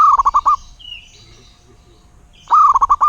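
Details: Local wild zebra dove singing: two bursts of quick, stuttering coos, each a rapid run of five or six clipped notes, separated by a quiet gap with faint background hiss.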